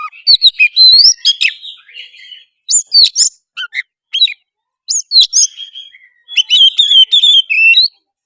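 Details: Oriental magpie-robin pouring out gacor song, played as a lure so another bird sings, fights and spreads its tail; varied bursts of whistled slurs, scratchy trills and sharp chips separated by brief pauses.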